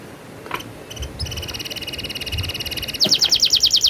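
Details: Canary rolling song, opening with a few scattered high notes, then a steady fast rattling trill that turns louder and more metallic in the last second.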